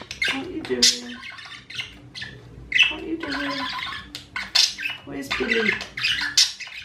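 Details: Pet budgerigars chatter in scratchy, buzzy squawks and quick twittering bursts while a person talks nearby.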